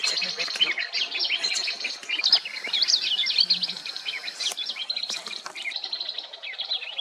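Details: Swamp grass babbler (Laticilla cinerascens) at Maguri Beel, Assam, India, in March 2021, giving a busy stream of high, thin chirps and twittering notes, with other small birds possibly mixed in.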